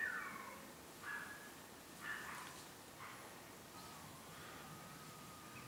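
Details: An adult male American wigeon at Lammassaari, Helsinki, Finland, on an evening in August 2024, gives soft, wheezy whistled calls about once a second, faint over a steady background hiss.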